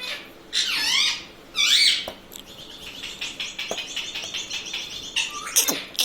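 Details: Pet ringneck parrot kept indoors, talking and saying words like mummy, papa and radhe radhe; two loud wavering squeaky phrases near the start, then softer chattering and short calls, ending with sharp high squeaks.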